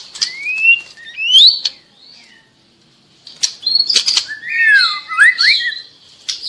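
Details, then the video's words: Juvenile white-rumped shama (trotol) singing actively to provoke silent birds into answering; clear rising whistles and swooping slurred notes in separate phrases, with a short pause midway and a rich, varied whistled burst near the end. "Murai batu trotol Gacor burung diam langsung nyaut"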